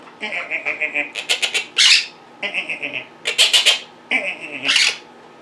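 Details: Quaker parrots kept as pets, chattering and mimicking in a small room: quick runs of clipped tonal notes, each run ending in a harsh broadband squawk, repeated three times.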